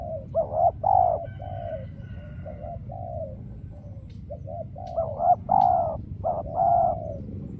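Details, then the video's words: Spotted dove calling as a decoy during trapping with no wild doves coming: bursts of rolling coo phrases at start and end, a quieter stretch of soft coos in between, low hum throughout. "Cu Gáy Bổi Giờ Hiếm Quá Mồi Kêu Vậy Mà Chả Thấy"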